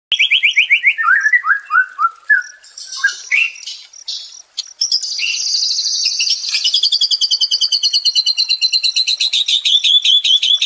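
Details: White-rumped shama song, offered as therapy to restore a stressed shama's fighting spirit: a falling series of whistled notes, then buzzy scratchy phrases leading into a long, fast, steady trill of high repeated notes.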